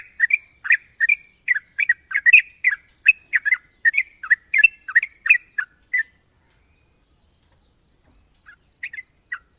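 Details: A national champion sooty-headed bulbul, praised for long, sharp trills. It gives quick bursts of bright, bubbly notes in an irregular run, then falls quiet and adds a few last notes. A steady high hiss runs throughout.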